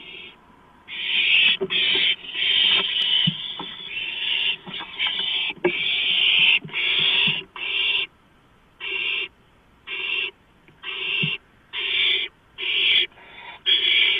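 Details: Barn owl at the nest during a gopher prey delivery, night of 2 April 2015 at 11:43 PM: harsh, breathy hissing screeches, overlapping at first, then settling into separate bursts about every second.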